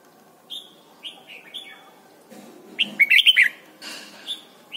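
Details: Red-whiskered bulbul from Thailand, song used to teach young birds to sing: a few soft whistled notes, then a loud bubbly burst of five quick chirped notes, ending with a faint single whistle.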